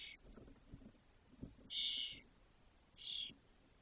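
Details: Spotless starling chicks near fledging in a Doñana cork oak nest, 2023; three loud hoarse rasping bursts about a second apart, with soft tapping and rustling underneath.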